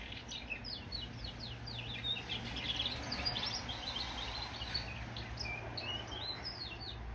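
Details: Song of a goldfinch and canary cross, a fast continuous stream of bright chirps, twitters and brief buzzy trills, with a constant low background hum.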